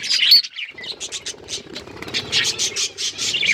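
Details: Budgies open with a high whistle and squeak, then give a string of short, crisp chirps repeated in quick bursts.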